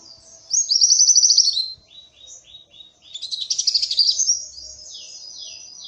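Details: Nonstop Oriental white-eye song used to stimulate other birds: a fast even trill of high notes, soft scattered chirps, then a dense buzzy twittering burst.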